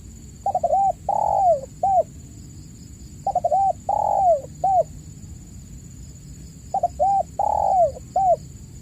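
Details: Spotted dove calling vigorously in a lure recording meant to prompt caged doves that have stopped calling: three coo phrases, each of quick stuttered notes, a long drawn falling coo and a short closing coo, about every three seconds, over a steady high whine.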